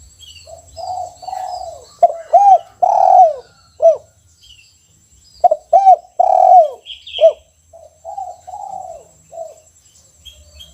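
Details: Caged spotted dove singing a one-kuk style song: low mellow coos in repeated phrases, short hooked notes leading into a longer drawn-out coo, with a faint steady high hum and a brief higher chirp in the background.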